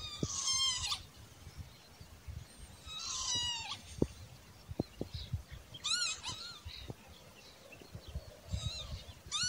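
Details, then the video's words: Spur-winged lapwing giving loud, shrill, harsh calls in short bursts about every three seconds, with a few sharp clicks or knocks between them; spur-winged lapwing. "صوت الطيبت او الدحروج او الزقزاق الشامي"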